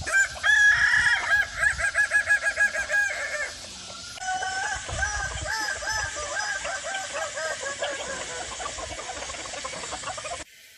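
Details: Crowing of a Kukuak Balenggek rooster, a Minangkabau chicken valued for its sweet, stepped crow of at least four syllables: a loud rapid string of pulsing syllables, then a second, softer, longer series of warbling notes before a sudden cut.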